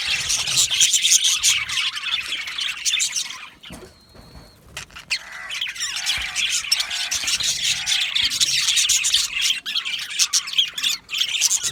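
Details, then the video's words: Happy budgies in an aviary colony, busy scratchy chattering that briefly drops away near the start to one thin sustained whistle, then resumes with warbled notes and dense rapid chirps. "Happy Budgies Sounds | Budgies Chirping Sounds | happy Budgie sounds for lonely Budgie birds"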